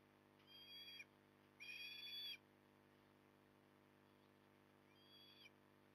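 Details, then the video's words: Osprey recorded at Port Lincoln on 9 October 2020 at 08:23: three bursts of high, thin whistled calls with clear overtones, the middle burst longest and loudest, set against a steady low hum. "Port Lincoln Osprey"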